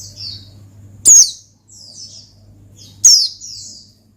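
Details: Oriental white-eye giving ngalas song to lure and provoke a rival: two loud, piercing, downslurred notes about two seconds apart, each followed by softer high trailing twitters, over a steady low hum.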